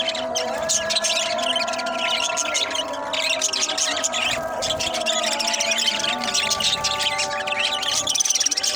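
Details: Young baby budgerigars (Melopsittacus undulatus) chatter in a busy stream of high, scratchy warbles and chirps over a steady background hum.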